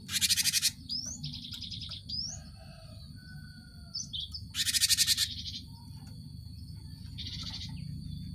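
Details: Cinereous tit, meant as a lure to stimulate caged birds to sing: loud harsh buzzing chatters alternating with upward-sliding whistles and short rapid trills, against a continuous low background hum.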